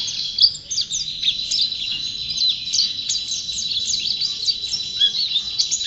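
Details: Champion white-eye singing continuously, a rapid jumble of very high squeaky notes and quick slurs at steady loudness.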